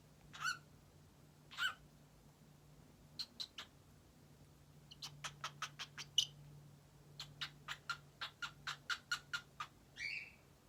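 A cockatiel makes sharp, smacking kiss sounds in quick bursts, ending with a brief rising whistle.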